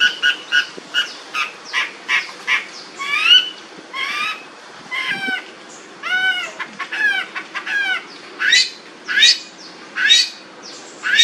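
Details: Long-tailed shrike singing a loud, varied run of harsh chattering bursts and arched, downward-bending notes, delivered in quick phrases with short gaps, some notes rising and falling in pitch.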